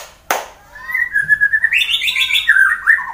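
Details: Fighter white-rumped shama from Wonosobo, Indonesia, singing to provoke rivals: a sharp click, then a sustained whistled warble stepping up to higher, quavering notes before dropping again.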